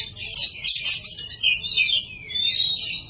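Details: Oriental magpie-robin song used as a training recording for cage birds: dense, scratchy high warbling phrases with a few clear whistled slurs, loudest in bursts every second or so.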